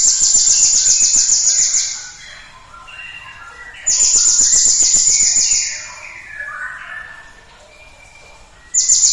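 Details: Cinereous tit song used as a lure to stimulate other birds to sing: a high, rapid, buzzy pulsed trill lasting about two seconds, repeated after a pause, with softer mid-pitched bird notes filling the gaps.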